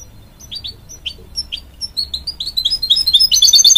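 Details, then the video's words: Hybrid goldfinch from a canary and goldfinch cross, singing to encourage young chicks: spaced high chirps speed up into a rapid, twittering run of bright notes that grows louder toward the end. "A Hybrid Goldfinch Sings To Encourage Young Chicks"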